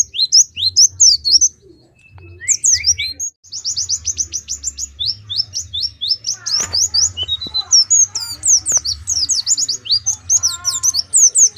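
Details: Long, busy warbling from an Oriental white-eye in Pemalang: dense runs of thin, high, looping notes with a brief pause, then more rapid chattering; a few clicks and knocks are heard midway.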